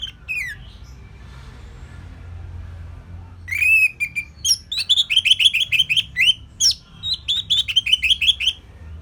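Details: Caged orange-headed thrush from northern Bali used as a training recording for songbirds: a few whistled notes after a quiet pause, then a fast run of repeated sharp, high chirping phrases.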